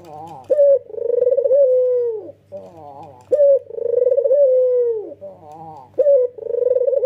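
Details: Rolling coos from a white male Barbary dove with red eyes, delivered in emotional nodding style. Each phrase opens with a sharp clipped note, swells into a fast trembling coo, and settles into a sustained low tone sagging at the close. The phrases come about every three seconds.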